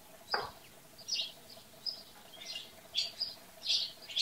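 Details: Farm-dwelling house sparrows chirping in short bright bursts roughly every half second, over a steady low hum and faint background noise.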